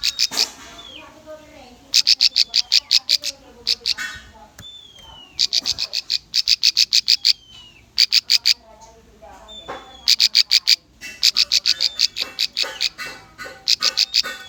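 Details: Lure song of a bar-winged prinia for young, untrained birds: bursts of rapid, high, piercing chips, each a second or so long and repeated with short pauses, with slurred whistles between bursts.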